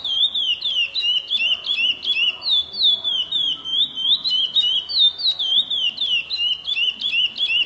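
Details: Chestnut-bellied seed finch song: a fast, continuous run of clear whistled notes, sliding up and down in a rolling warble, about three notes per second, loud and steady throughout.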